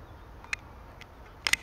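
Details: Fieldfare at RSPB Rainham Marshes on 24 December 2021, giving a few harsh, dry chacking notes, one single and then a quick close pair, over faint background hiss.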